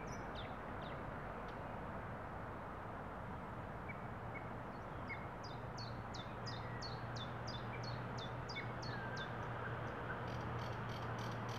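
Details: A thrush nightingale caught by a camera trap in Estonia gives a quick run of about ten sharp, high, downslurred notes, three per second, over a steady low rumble of traffic or wind.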